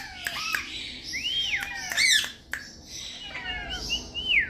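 Young rose-ringed parakeets give overlapping arched, squeaky whistles, rising then falling, about one every second, with a few sharp clicks in a small room.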